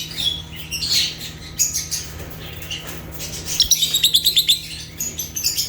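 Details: African lovebirds (Agapornis) chirping naturally: a busy flock of thin, high-pitched chirps and squeaks, with a quick run of about eight evenly spaced sharp tweets near the end, plus faint wing flutters and a low steady hum.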